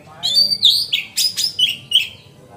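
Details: Oriental magpie-robin singing a lively, fluent song used to prompt other magpie-robins to spread their tails. Clear whistled notes slide and waver, broken by a few sharp, scratchy accents, in one continuous phrase.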